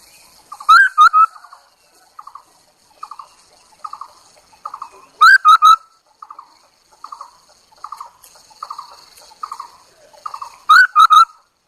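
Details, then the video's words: Chinese hwamei decoy bird giving a long run of softer, rhythmic warbled phrases roughly every second, broken at intervals by loud bursts of three bright whistled notes "Tiếng chim họa mi đất mồi || Suab noog kaim kauj quaj cuab tuaj"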